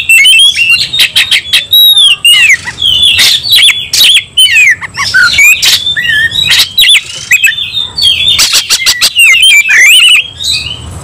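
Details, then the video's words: Oriental magpie-robin in a frenzied, emotional fighting song: rapid loud whistled notes and sweeping slurs mixed with harsh buzzy bursts and scratchy rattles, nearly continuous over eleven seconds with only brief pauses. "kacer langsung KONSLET tarung ngotot full emotional"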